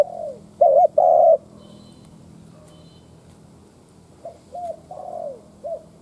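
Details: Decoy spotted dove, cooing to stir wild doves: one loud low phrase of a wavering double note and a long coo, then several fainter, shorter falling coos after a pause.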